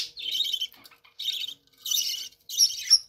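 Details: Captive budgerigars in their room, spending time together, giving four bursts of rapid scratchy warbling chatter separated by short pauses, the last burst ending in two sharp squeaks.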